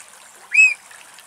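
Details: Eurasian oystercatcher with a mud-caked bill, standing in vegetation at Axios Delta National Park near Thessaloniki, Greece. One loud, arched piping note lasting about a quarter second, over a faint trickling background.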